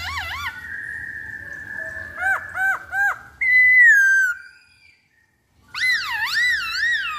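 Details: Lure recording of a black-throated laughingthrush: wavering whistles, a long flat tone, three arched notes and a falling whistle, then, after silence, deep warbling wavy whistles.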